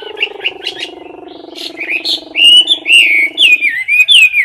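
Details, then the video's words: Caged Chinese hwamei in competition singing, perched close to the cage bars: loud whistled phrases sliding and warbling around mid-high pitch, preceded by a steady low rattling hum from another sound source. "Mi mơ hót đấu cực "Đỉnh""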